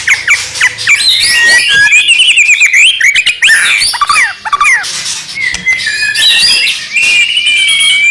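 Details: White-rumped shama song used to draw out other shamas: a dense, restless mix of whistled slurs, rattles and sharp chips with hardly a pause.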